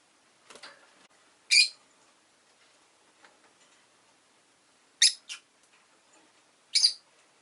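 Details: Shrill, high chirps from a pet rosy-faced lovebird, one loud call early, then a quick double chirp and another sharp call spaced about two seconds apart, over faint clicking.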